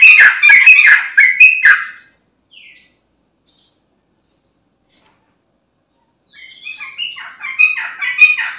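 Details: Sooty-headed bulbul singing as a lure for other bulbuls: two seconds of busy, gurgling whistled phrases, a long silence, then a quieter chattering run building again toward the end.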